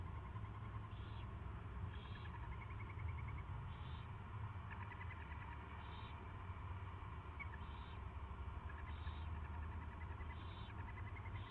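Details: Owl at its first feeding on 24 February 2016 at 2:15 PM: a string of short hissing rasps about once a second, mixed with faint rapid twittering notes and a steady low hum.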